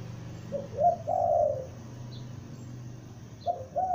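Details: Young lure spotted dove giving one cooing phrase of short notes and a long drawn coo, then the start of another phrase, with faint distant chirps.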